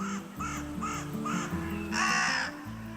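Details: A carrion crow in Spain, a host of the great spotted cuckoo, gives four short, arched caws about half a second apart, then one longer, harsher caw, over soft background music.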